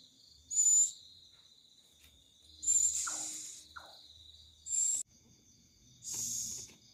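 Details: Eerie night-time bird on a Thursday night, giving loud rasping, hissing screeches at uneven intervals of one to two seconds, with a continuous shrill insect chorus behind and faint low rustles.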